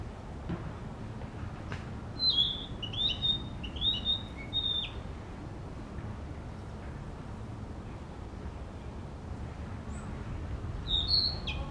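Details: A Narcissus flycatcher practising its song in an urban park tries out a few short, high whistled phrases in quick bursts, pausing long between them, over a steady low urban rumble.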